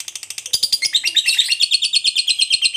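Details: Ngekek trill of a fighter lovebird: quick, strident, buzzy chatter that grows fuller after half a second and continues without a break.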